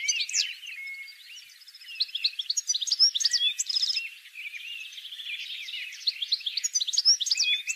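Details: Goldfinch song played to lure goldfinches for trapping, a continuous jumble of quick, high tinkling twitters, short trills and buzzy rising notes.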